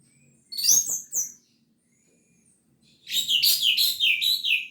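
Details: Orange-headed thrush singing gacor teler: dense, jumbled high chirping and whistled notes in rapid runs, preceded by a few loud chirps with soft clicks, over a light background hum.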